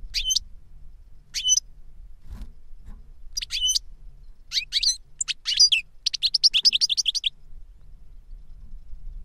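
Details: Goldfinch song from an older bird teaching a younger one: separate sharp chirps, then tinkling notes and a fast rattling trill near the end, with quiet pauses between.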